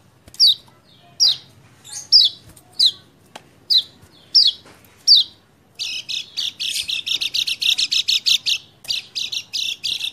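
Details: Lemon-bellied white-eye (kecial kuning) song used as a fast lure to make a silent, reluctant bird sing, dated 28/11/20: six short sharp descending chirps about a second apart, then a rapid dense run of high twittering notes.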